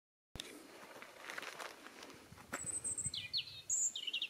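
A European robin sings a brief phrase of thin, high, liquid notes and quick trills that shift in pitch, after a couple of seconds of rustling background noise.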